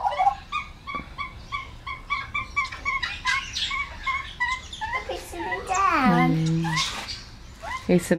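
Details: Wild Australian magpies fed fresh mincemeat in a backyard in the morning, with a noisy juvenile among them: short harsh notes repeated about three times a second, then a descending warbling burst, with a person talking nearby.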